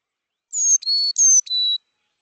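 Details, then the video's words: Carolina chickadee giving its classic song, saying its name "chickadee": four clear whistled notes alternating high and low, like fee-bee fee-bay, within about a second and a half; no other sounds. "But the classic chickadee song, they do say their name."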